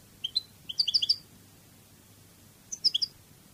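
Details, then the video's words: European goldfinch of the Cádiz song style, on a training recording: two short bursts of tinkling, high twittering notes separated by a pause, over a faint low hum. "CD CANTO DE JILGUERO CADIZ شريط لغة الحسون الإسباني قادس"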